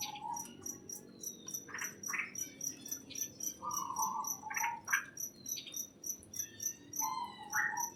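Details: Greenhouse birdsong: steady whistled notes and short buzzy chirps overlap with a fast, regular high ticking that pulses about twice a second throughout.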